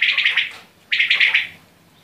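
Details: Quail uttering two rapid trilled bursts of grating, pulsed notes, each lasting about half a second, with a short pause between.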